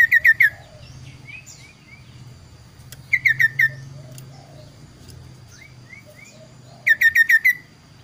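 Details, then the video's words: Kaso-kaso bird singing two varied song types, clear loud bursts of four or five sharp, ringing notes every three to four seconds alternating with softer slurred rising whistles, over a steady high hum and low rumble. "burung kaso kaso tampil dua suara variasi"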